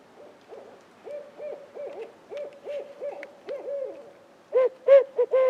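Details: Barred owl calling and responding from trees it could not be seen in, during a spring hunt shortly before heavy rain: a long string of faint, rapid, low hoots, ending in three louder, closer hoots.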